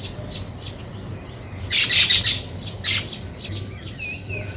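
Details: Weaver birds building a nest break into loud, buzzy, rattling chatter in two bursts, with softer high chirps around them.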